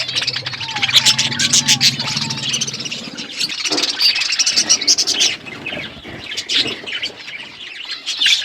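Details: Several pet budgerigars eating, busy buzzy twittering throughout, with a low steady hum and a few soft whistled notes in the opening seconds.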